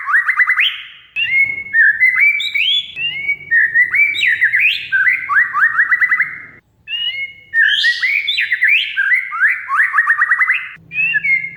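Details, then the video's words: Oriental magpie-robin song for luring and training a bird that has gone quiet: dense sequences of fast upward-sweeping whistles and rich chattery phrases, low hum beneath. "Kacer Mogok Bunyi Tiba-tiba Gacor Isian Mewah"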